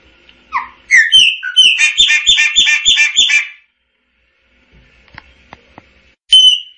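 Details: Chopi blackbird song: rising slurred whistles leading into a rapid rhythmic series of burry repeated notes, a pause with faint clicks, then one bright sustained whistle.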